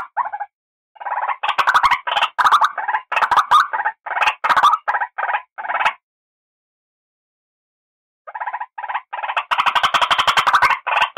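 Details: Raspy, croaking notes from a white-breasted waterhen lure call come in fast irregular runs, interrupted by a silence of about two seconds before a denser burst resumes.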